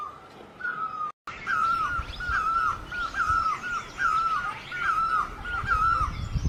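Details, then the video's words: Great barbet, Asian bird with the Thai name นกตั้งล้อ, giving a steady series of mellow, slurred notes that dip at the end, about one per second, with faint chatter of other birds and outdoor rumble behind. "Great Barbet, นกตั้งล้อ, Pehˇ oˍ, Piˇ oˍ loeˇ, Pi luˇ ma"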